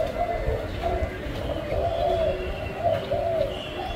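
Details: Low, mellow cooing from a caged spotted dove, a few drawn-out notes rising and falling gently, partly masked by heavy low rumble and background noise.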